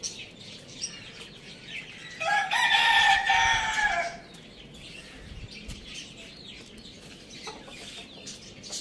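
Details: Loud crow from a pet rooster kept with hens, chicks and budgies: a single rich, harmonic crow held about two seconds mid-recording, surrounded by continuous thin chirps and twitters of small birds.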